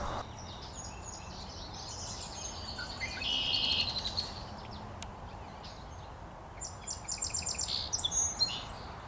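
A Song Sparrow sings bright, high phrases of notes and trills, with a second burst of song near the end over steady background hiss.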